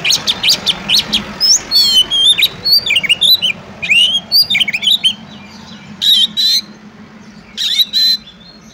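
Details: Fighting song of an oriental magpie-robin (kacer), meant to test rival birds: rapid harsh buzzes alternating with curling whistled notes, then scratchy rasping bursts with pauses between them.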